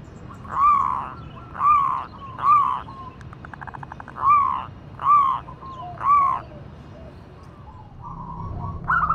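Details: Local zebra dove, a female calling for a male: six separate soft coos spaced roughly a second or more apart, a brief rapid rattle in the middle, and a quieter coo at the end.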